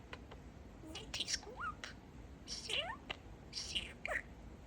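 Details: Chattering talking parakeet, a male kept as a pet: soft whispery syllables mixed with quick rising whistles and clicks, in short clusters about a second apart.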